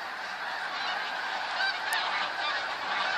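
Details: Snow geese massed in a huge flock, 28 February 2013, a thick chatter of overlapping honks that grows a little louder toward the end, with one brief sharp click.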